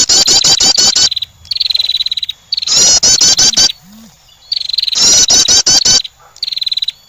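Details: Calling to attract, a female wren gives rapid loud, harsh notes that switch to short, buzzy, high trills. The sequence recurs at a regular pace.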